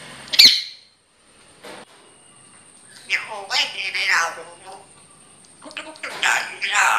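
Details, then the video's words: Grey parrot talking, with a sharp click at the start, then speech-like phrases with harmonic, voice-like syllables in two bursts separated by a quiet pause, over a steady high background hum. "Grey parrot talking"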